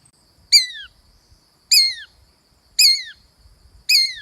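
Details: Shikra, a mother bird laying eggs and tending her nest on a strong windy day, screaming alone: four loud, sharp, descending screams spaced about a second apart, with near silence between them.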